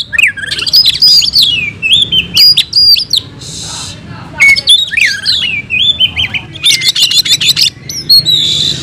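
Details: Oriental magpie-robin (kacer) in a cage, fighting song: swooping whistled phrases and sharp descending notes, then a fast run of high rattling chips near the end, low background hum.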